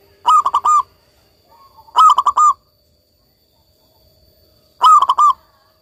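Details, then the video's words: Local zebra dove in lively, frequent song: three short cooing phrases, each a quick run of four or five pulsed, mellow notes, repeated every two to three seconds with quiet gaps between. "perkutut lokal gacor"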